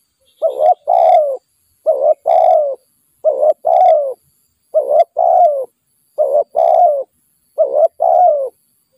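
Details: Spotted dove in a bird-trapping setting with a decoy, a wild bird that nods a lot, giving low hoarse cooing phrases: a short double coo followed by a longer falling croo, repeated six times about every 1.5 seconds.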